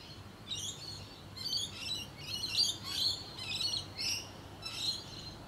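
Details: Wild rainbow lorikeets in Australia, social nectar-feeding parrots, give loud, harsh, buzzy screeches in quick overlapping bursts, roughly one every half second to second, with a steady low background hum underneath.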